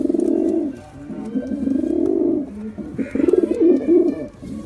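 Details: Pigeons give deep, rolling coos in long swelling phrases, a short pause, then a quicker throbbing burst of cooing near the end.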